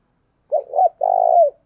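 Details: Spotted dove kept as a lure decoy, giving its coo: two quick arched notes, then a drawn-out vibrating coo sliding down at its close, no other sounds.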